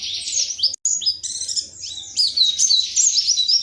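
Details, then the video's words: Indonesian white-eye (pleci) song, a high, rapid stream of sweet twittering notes and slurred whistles with tiny gaps, fast and unbroken apart from one brief pause, with a faint low hum underneath. "Pleci WIKSAR Tembakan MATERI"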